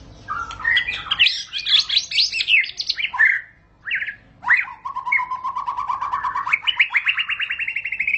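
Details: White-rumped shama in long rolling ngerol song: a jumble of varied whistles and sharp notes, a brief pause, then a long rapid trill of even notes that steps up in pitch near the end.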